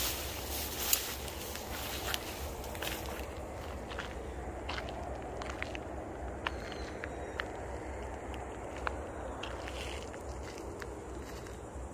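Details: Footsteps, rustling and soft crackling outdoors over a steady low rumble, with no animal calls.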